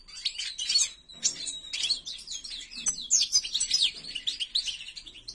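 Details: A white-throated (ak gerdan) European goldfinch kept as a pet sings a lively stream of tinkling, liquid twitters and quick slurred notes, with a brief held tone early on and dense chattering phrases throughout.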